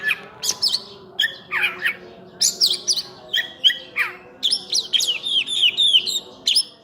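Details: Oriental magpie-robin, known locally as burung cincim pala, in energetic full-isian song: sharp downslurred whistles and squeaky notes at a steady pace, ending in a rapid run of high chirps and sweeps.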